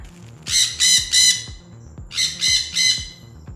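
A parrot gives two bursts of three harsh, raspy squawks, each about a third of a second, over a soft rhythmic music beat.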